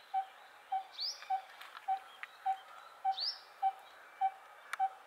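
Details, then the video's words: Coppersmith barbet giving a steady, low, hollow 'tuk' note repeated about every half second. Another bird adds two quick rising high whistles in the background. "Coppersmith Barbet calling"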